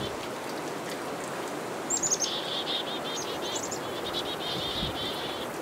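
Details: Black-capped chickadees mobbing a northern pygmy-owl: a series of high, rapid, rasping dee notes repeated in bursts over a constant loud hiss of background noise.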